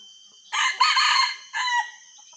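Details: A junglefowl, in a wild junglefowl luring setting, gives a harsh, ragged crow: a second-long strident burst, then a brief clipped tail note that cuts off abruptly, over faint background hiss.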